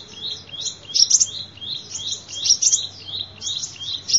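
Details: Sunbird song used as a lure: continuous high, thin twittering with quick sweeping notes, phrases recurring roughly every second and a half.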